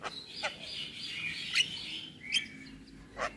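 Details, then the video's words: Javan myna (jalak kebo) song: scattered harsh clicks and chacks over a sustained, wavering buzzy whistle, with a rising squeaky note near the end. "Suara Jalak kebo Full isian"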